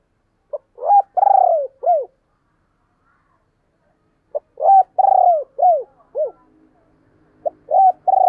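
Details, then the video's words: Spotted dove giving its cooing call in the thúc and gáy gọi styles. Low hollow phrases repeat twice, about four seconds apart: a short pip, then a long purring, pulsed coo, then falling notes. A third phrase begins at the end. Quiet background. "tiếng cu gáy/ thúc + gáy gọi"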